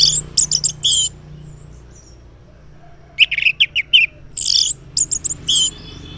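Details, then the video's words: Loud 'ngeplong' morning song of an Orange-headed thrush, a lure for silent males: fast bursts of high whistles and chips, a pause, then a long, varied sequence of rich notes and squeaky phrases. "Cocok Buat Pancingan ANIS MERAH Ngeplong di Waktu Pagi Hari Yang Macet yang Bisu Kalo Jantan Nyaut.."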